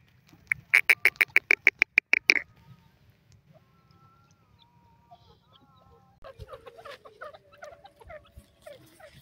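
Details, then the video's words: A female grey francolin gives a rapid run of about a dozen loud, sharp, evenly spaced clicking notes. Faint thin whistles follow, then scattered soft chattering and low rumble. "irani teetar ki latest voice,partridge female ki boli,tutar ki awaj"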